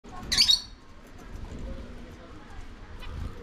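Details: Lovebirds eating corn: one short, harsh, high squawk near the start, then quiet low background rumble and a faint rustle at the end.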